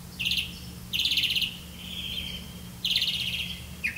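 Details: Black-bellied malkoha caring for young in the nest: three bursts of buzzy, rattling high chirps, each about half a second long, with a thin drawn-out note between them over a steady low hum.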